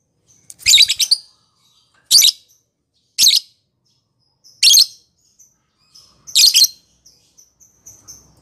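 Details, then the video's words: Lovebird using the ngekek konslet style to provoke other lovebirds: five scratchy, noisy bursts at uneven gaps of one to two seconds, with faint thin whistles trailing between the last ones. "Pancingan Lovebird Ngekek konslet"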